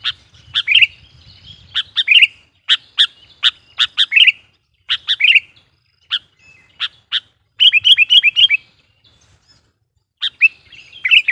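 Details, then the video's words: Sooty-headed bulbul song played to lure wild bulbuls: many sharp chips and short bubbly phrases in uneven bursts, including a quick run of rolling notes, over a faint low rumble. "suara burung KUTILANG GACOR GARUDA bikin emosi kutilang liar"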